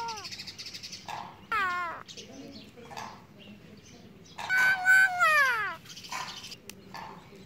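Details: Pet mynah talking and mimicking a crying baby and laughter, giving loud harmonic calls that slide downward and rise, with short chattering notes between; a person speaks to the bird nearby.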